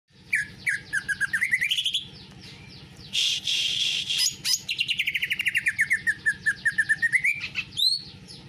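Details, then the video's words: Greater green leafbird singing a canary-style song: rapid buzzy trills of repeated notes that dip, then sweep upward, broken by a dense rasping burst and a long rising chatter ending in high whistles. "Cucak ijo rasa kenari"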